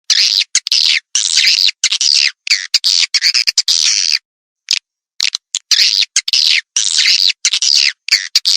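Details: Edible-nest swiftlet calling sound played through tweeter speakers to attract birds: dense bursts of buzzy, chattering twitters, high and harsh, separated by short silent gaps, with one longer pause near the middle.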